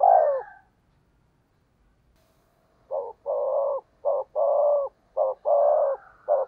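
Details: Fast 'thúc gù' cooing from a spotted dove used as a decoy, 'giọng thổ đồng' style. A single coo, a long silence, then a rapid series of alternating short and long deep notes.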